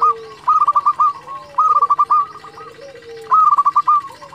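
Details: Local zebra dove singing steadily, its song meant to spur rival birds into replying; three rapid stuttering bursts of clear coos about 1.5 seconds apart, each ending in drawn-out lower notes, faint hum behind.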